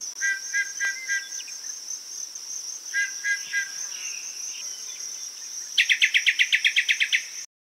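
Yellow-breasted Chat song: short bursts of clipped notes and whistles, ending in a rapid series of about ten harsh repeated notes, over a steady high insect drone.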